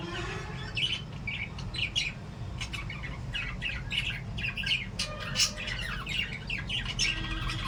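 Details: Lovebirds chirping while playing: sharp squawky chirps repeated in quick irregular bursts about every half second, over a steady low hum.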